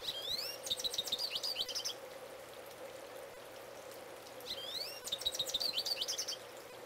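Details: A male goldfinch belts out song from close by. It gives two bursts of high twittering, each opening with a rising, slurred whistle followed by quick, buzzy chirps, separated by a few seconds of steady background hum.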